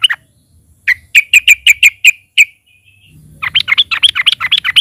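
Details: Yellow-vented bulbul (trucukan) lure song: a row of crisp, ringing chips roughly every fifth of a second, a pause, then a rapid, scratchy, bubbling chatter to the end.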